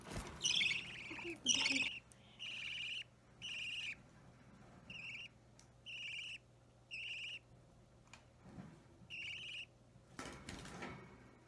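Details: Young budgerigar around three weeks old, hand-fed indoors, opaline or normal green; two louder scratchy calls open, then a series of softer, even buzzy chirps roughly every second, ending with handling noise.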